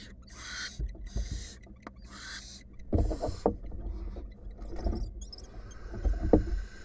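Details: Wild female barn owl in a monitored nest box, during a clash with her mate or an intruder: three harsh, noisy hissing bursts in the first two seconds, then thumping, scraping scuffle sounds and further rustling.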